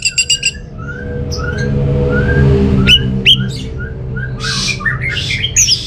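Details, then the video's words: Orange-headed thrush song to coax non-singing birds at home: a quick trill, soft low whistles, sharp high upsweeps and a burst of rough buzzy and warbled notes, with a low hum beneath. "ANIS MERAH Mau Nyaut Gacor❗❗❗Pancingan Ampuh Buat Burung Dirumah yang lagi Malas Bunyi"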